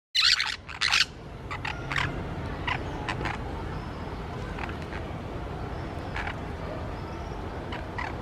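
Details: Two green parakeets in Colombia, kept for a year and a half, give two loud, harsh, raspy squawks in quick succession at the start, followed by fainter scattered short calls over a steady low background rumble.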